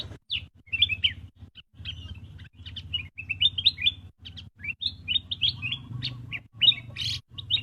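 Black-crested bulbul giving quick, bright chirps and short liquid whistled phrases around 2–4k, in rapid bursts, over a steady low hum.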